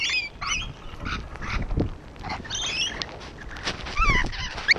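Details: Brief, scratchy squeals and thin rising whistles come from rainbow lorikeets on a wall, spaced loosely over the few seconds, with soft low-pitched background noise.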